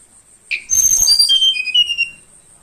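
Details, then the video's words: Morning song of a young, wild-caught Bornean flowerpecker after roughly two weeks in captivity: a short upslurred chip followed by a cascade of piercing high whistles that fall in pitch, with a constant insect whine behind. "Kicau burung Tledekan Kalimantan pagi hari"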